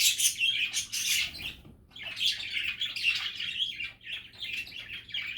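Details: Budgies chattering in a steady flow of rasping, warbled chirps and short buzzy notes, dense at the start, thinning after a brief pause, then resuming.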